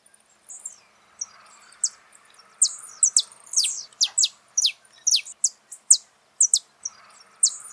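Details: Wild saffron finch singing in nature: rapid series of bright, high downward-sweeping chirps, grouped in quick pairs and triplets, steady through the recording over a low hiss.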